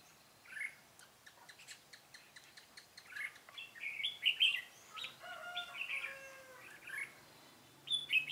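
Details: Decoy red-whiskered bulbul singing a fighting song while used to trap wild birds, recorded 13 March 2017; rapid ticking notes lead into loud, rich warbled phrases with sliding whistles, then a pause and a final burst.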